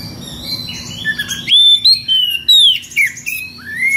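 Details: Ngeplong-style magpie-robin song aimed at a rival, full of strange variations: soft twittering gives way to loud, pure whistles that arch up and down, ending on a rising note.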